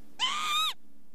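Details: A single drawn-out call from a Northern lapwing, about half a second long, arching up and then dropping at the end, rich in overtones, over a low steady hum.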